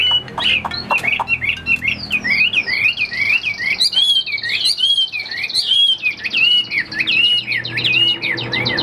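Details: Chinese hwamei kept in a cage for sale sings a dense, varied stream of loud whistled phrases, quick upslurs and downslurs repeated almost without pause, with a few short clicks at the start.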